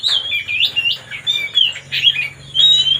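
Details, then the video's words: Singing white-rumped shama meant to provoke another bird: a rapid series of loud, rich whistled and warbled notes in choppy bursts, with a faint low hum underneath. "mancing suara kacer biar emosi"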